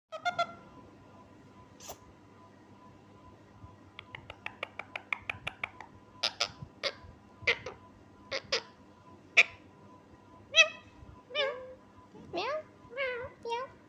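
A pet parrot mimics a cat's meow among quick clicks, sharp whistles and wavering, speech-like notes.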